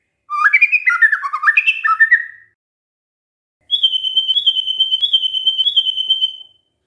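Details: Lure song of a white-rumped shama meant to prompt other shamas to reply: a quick run of varied whistled notes, a pause, then a long steady high warbling trill lasting nearly three seconds.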